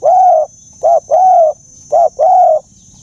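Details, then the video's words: Dove calling in an old, deep voice style locally termed 'già rừng sát bổi': mellow low coos in short-then-long pairs, three pairs in about three seconds, with a faint steady high electronic whine throughout. "Tiếng Chim Cu, âm giọng già rừng sát bổi"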